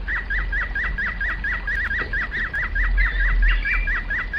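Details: Domestic canary in flute song, repeating short slurred whistled notes at a steady fast pace, with a few fainter higher notes and low background rumble.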